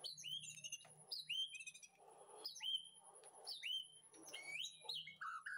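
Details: White-rumped shama in a backyard aviary breeding setup, recorded in the afternoon as master song for training: loud whistled phrases dropping and sliding, repeated about every second, with soft chatter between and a steady high hum throughout.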